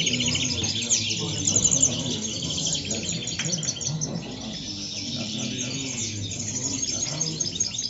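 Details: Several European goldfinches in El Prat de Llobregat sing together in a dense, overlapping run of high twittering chirps and trills. A steady low rumble of background noise runs underneath.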